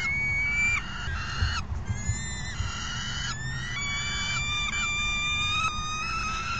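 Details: Afternoon feeding on June 3, 2021, with a falcon giving drawn-out, strained calls. The notes glide gradually upward, run into one another almost continuously, and are broken by a few short gaps. Low rumbling noise sits beneath.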